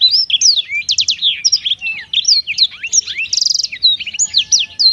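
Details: Melodious song of a Black-throated canary, a lively stream of high twittering notes, swooping whistles and a short buzzy trill midway, delivered almost without a break.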